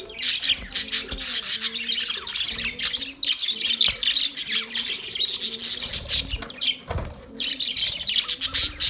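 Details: Chirping from male budgerigars: rapid, high, buzzy warbling chatter mixed with short repeated nasal chirps, nearly continuous with one short break near the middle.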